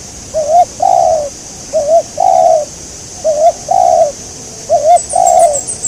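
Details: Spotted dove during a bird-trapping outing targeting a local wild dove: paired coos, a short wavering note then a longer falling one, repeated four times about every one and a half seconds, with faint high chirping near the end.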